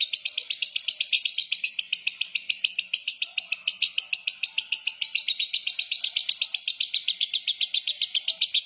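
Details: Lovebird giving a very long "ngekek" trill in the "konslet" style: a shrill, rapid chattering rattle of about four pulses a second, kept up unbroken throughout.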